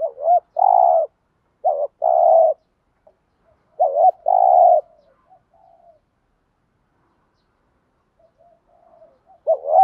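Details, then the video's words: Repeated spotted dove cooing to spur decoy doves to coo, 'giọng thổ' style: three low phrases in quick succession, each a wavering double note then a longer rolling coo. Faint soft notes follow, and a fourth phrase begins at the end. "chim cu gay thuc gù/ tiếng chim cu gáy kích bổi hiệu quả mỗi ngày. bổi nghe gáy theo"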